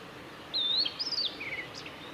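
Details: Blue-and-white flycatcher male in song, 17 May 2020, Kanazawa forest road at Lake Miyagase, Japan: a smooth slurred whistle, a bouncing higher section, then a lower rapid trill and a short sharp note at the end.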